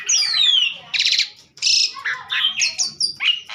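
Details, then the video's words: Energetic Asian pied starling song: a long falling whistle opens, then buzzy rattles, harsh chattering bursts and short high whistles follow in quick, irregular succession. "burung jalak suren super gacor"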